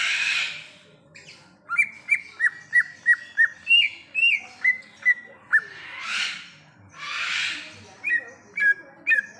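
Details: A wild greater green leafbird sings rows of short downslurred whistles, about three per second, interrupted by brief hissing bursts of noise, then resumes with several sharper chirped notes.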